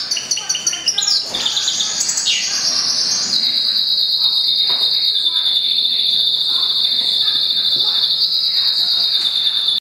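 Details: Goldfinch crossed with canary, a mule bird born April 2011, opens with a few quick chirped and slurred notes, then settles into a long, even, unbroken high trill held steadily for about six seconds.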